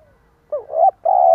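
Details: A single stuttered coo from a decoy spotted dove, the 'gù cà lăm' style used to provoke: a wavering broken note, a brief gap, then one long steady low hum.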